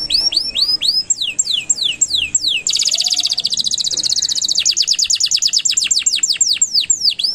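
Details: Canary song intended as master audio for young chatter birds: looping up-and-down whistled notes, then a rapid bright trill, followed by a run of sharp descending sweeps repeated several times a second.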